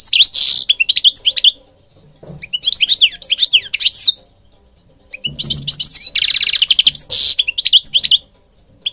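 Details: Three bright phrases of European goldfinch song, separated by pauses, each a rapid tinkling twitter with interspersed harsh buzzy notes.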